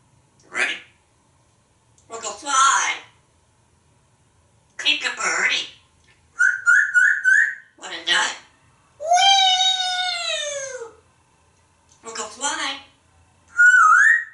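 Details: Pet African grey parrot, hatched 1997, kept at home in Texas, talking in the shower: short spoken phrases, a whistled trill, a long drawn-out squeal, and a rising whistle.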